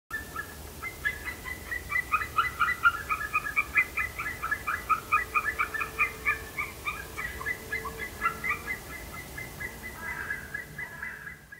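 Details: Mating white-tailed eagles in the ZLM polders, 21 February 2021: long runs of fast, yelping notes, rising and falling in excited bursts for about ten seconds, with a faint steady hum underneath.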